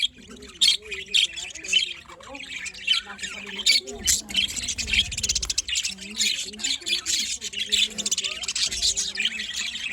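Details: A morning flock of budgerigars keeps up nonstop high, buzzy chatter, and lower wavering tones run through the background.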